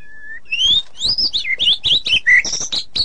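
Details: Shama song, ngeplong and ngeroll style: one plain whistle, then a quick string of bright, high rising and falling whistled notes packed closely together, with faint ticking underneath.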